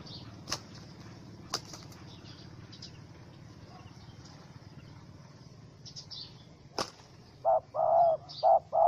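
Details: Wild spotted dove, angry after being caught in a small rope trap, 4 July 2017: mostly quiet rustling with sharp knocks and wing flutters, then four low, rounded coo notes close together at the end.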